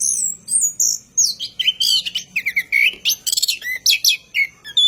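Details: Orange-headed thrush at night, singing a long rolling lure song for cage birds: clean, sweet whistles and quick slurred notes falling from very high to middle pitch, in dense bursts with short gaps.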